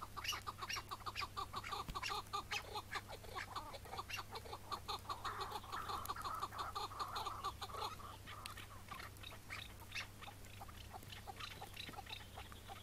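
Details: Chukar partridge on a May 2017 morning during capture. Rapid clucking chuk notes repeat quickly and unevenly, then merge into a louder, rougher burst midway before scattered notes return, over a low hum and handling noise.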